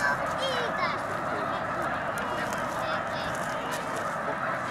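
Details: Snow geese gathered in huge numbers on migration at Baie-du-Febvre, Quebec: a continuous wall of massed honking, a few higher yelping notes rising briefly above the steady din of the crowd.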